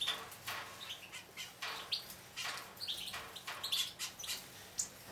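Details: Nine-week-old juvenile Hooded Siskin x Raza canary mules taking a bath: short high chirps and thin whistled notes scattered between loud splashing and wing-flutter bursts.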